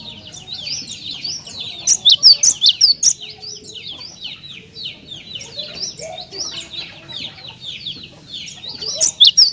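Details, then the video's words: Cinereous tit song meant to draw other tits into singing, with loud high paired notes around the second and third seconds and again at the end, amid a dense backdrop of overlapping chirps and twitters. "Jika Glatik Batu Anda Di Pancing Dengan Kicauan Glatik Batu Gacor Ini"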